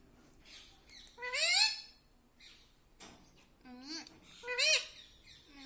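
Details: Household talking parrot repeating mummy papa; two soft, separated phrases of rising, ringing harmonic syllables, the second ending on a lower slide, with quiet gaps between.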